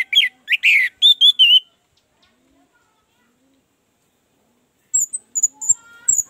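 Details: Orange-headed thrush song used as a lure for a bird slow to sing: quick clipped whistled notes in a short burst, a long silence, then thin high chips and twitters.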